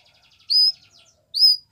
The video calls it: Canary Singing | Belgian Canary